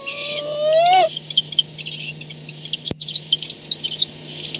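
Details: At 4:38 am on 2-10-16, a barn owl comes home to its nest at night, giving a roughly one-second buzzy, harmonic call that rises slightly, followed by scattered soft clicks and one sharp knock.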